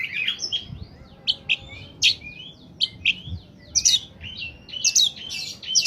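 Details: Oriental magpie-robin (kacer) singing at its best, used to lure wild birds: bright whistled notes and short rising and falling phrases repeated at roughly half-second intervals, some harsher high bursts.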